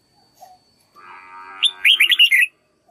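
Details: Song practice by a red-whiskered bulbul used as a tutor for a learning bird. A low steady hum is followed by a single bright phrase of fast, looping whistled notes.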